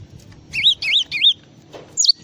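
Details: Java sparrow singing in full-isian style: three wavering, looping whistled notes in quick succession, a pause, then sharp, high falling chirps, over low background rumble.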